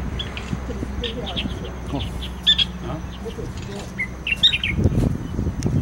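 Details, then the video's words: Black bulbul in Taiwan giving short, squeaky, slightly nasal chirps scattered through the clip, over a low rumble of background noise and faint voices. "紅嘴黑鵯的叫聲， Black Bulbul"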